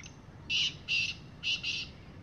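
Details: Wild black francolin calling on the ground in the evening; loud harsh rasping notes, four grating bursts in a broken rhythm, steady low background hum.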